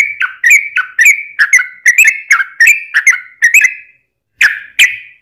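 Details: Yellow-vented bulbul singing a long rapid-fire song, used as a lure to make other bulbuls sing: quick series of bubbly chirped notes near the mid-high range, about ten in four seconds, then a short pause and two more notes.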